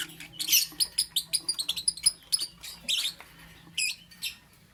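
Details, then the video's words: A lovebird chirps in the morning, a rapid string of high, sharp, evenly spaced notes followed by a couple of buzzy bursts and then silence. "Amazing Lovebird - Beautiful Colors - Chirping Sounds"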